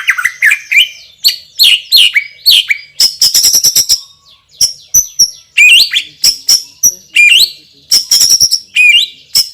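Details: Loud, strong-voiced champion white-rumped shama delivering its super spicy fill: dense varied phrases of high whistles, upslurred notes and fast rattling clicks, almost continuous with brief breaks.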